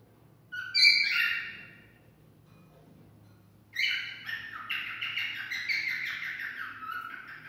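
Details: Cockatiel singing to stimulate mating: a loud burst of harsh chirps, a long silence, then a fast run of buzzy repeated notes that continues to the end.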